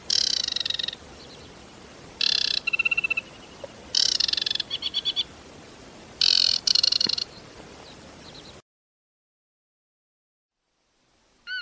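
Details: Globally threatened Aquatic warbler, a regular but scarce autumn visitor to southern Britain: several chattering phrases of harsh rattles mixed with rapid, even trills, separated by short pauses, followed by silence and a brief different sound at the end.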